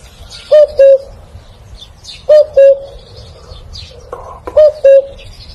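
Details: Clear cuckoo giving three two-note calls spaced about two seconds apart, a short higher note then a lower held one, over a quiet background with scattered small-bird chirps.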